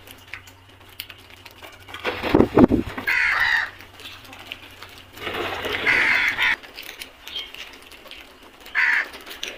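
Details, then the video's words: Crows in a flock give a few drawn-out hoarse caws spaced a couple of seconds apart, with a low thumping noise early on. "Flock of crows beautiful sound effect | Crows sounds"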